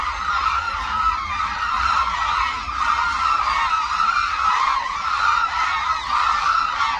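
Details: A big gathering of hooded cranes at Suncheon Bay Wetland flying in aerial display; many voices trumpet at once, forming a thick, continuous chorus that swells and dips slightly in loudness.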